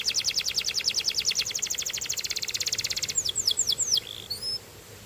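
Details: A Belgian canary sings a long, fast, even trill of high notes, then switches to several slower downslurred whistles before falling silent.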